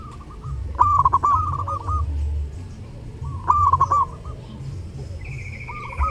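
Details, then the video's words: Lebaran zebra dove song: two clear bouts of fast stuttered coos that settle into a sustained soft note, about three seconds apart. Distant doves answer faintly, a higher drawn note sounds near the end, and a low hum persists. "SUARA PERKUTUT: Burung perkutut gacor saat lebaran"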